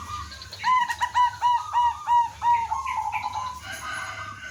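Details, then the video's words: Local village zebra dove singing actively from a perch, its song used as a lure so other doves answer: a rapid run of about ten evenly spaced, clipped cooing notes at steady pitch, then softer trailing notes. "suara merbok kampung/perkutut lokal gacor manggung jadi pikat pancingan semua jadi nyaut"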